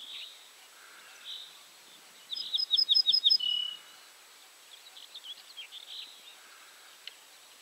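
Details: At Julków on 3 June 2017, an Ortolan bunting sings one phrase of five or six evenly spaced, ringing high notes that drop into a longer, lower closing note. Quieter chirping from other birds is heard before and after.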